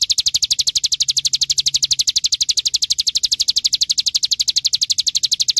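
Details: Bar-winged prinia (ciblek gunung) singing in the rapid 'ngebren' style, used as a training recording for songbirds: a steady, unbroken rattle of high, evenly spaced chipping notes that runs without pause throughout.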